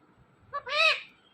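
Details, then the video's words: Talking Indian ringneck parakeet repeating a short word, a faint brief note then a fuller harmonic syllable that fades out; low background hiss. "This Ringneck Parrot Talking Is Epic.!.😍"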